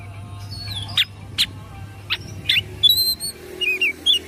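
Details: Excited oriental magpie-robin with its tail spread: a few sharp rasping notes, then high thin whistles and quick warbled slurs, with a constant low electrical hum underneath.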